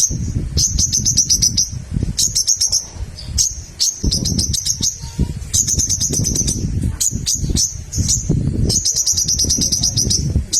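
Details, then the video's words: Little spiderhunter singing vigorously to provoke rivals into song: repeated bursts of fast, high, clicking chip notes, each run lasting about a second, over persistent low background rumble. "SOGOK ONTONG GACOR MEMANCING LAWAN JADI BUNYI"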